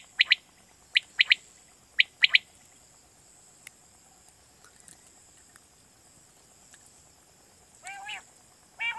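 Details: Night-hunting lure call of quail from Pakistan: two crisp whistled triplets in the first two and a half seconds, then a long quiet hiss before nasal, buzzy notes return near the end.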